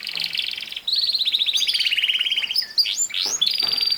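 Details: Canary in full song, a loud rolling trill that slowly descends in pitch, followed by short rising whistled swoops and a ringing high note.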